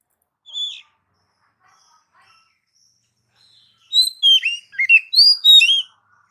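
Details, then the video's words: Oriental magpie-robin song used to stimulate pet magpie-robins: a lone whistled note, a pause, then a quick burst of varied high whistled and slurred phrases. "Mp3 burung kacer masteran gacor"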